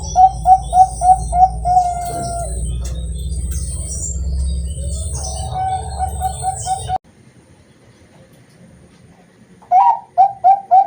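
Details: {'caption': 'Bangkok-type zebra dove, captive-bred in Kroya, Cilacap, Central Java, sings a contest-grade song: rapid mellow coos, a sustained note, more coos, a pause, then a fresh burst of quick coos. Low background hum and high hiss are audible.'}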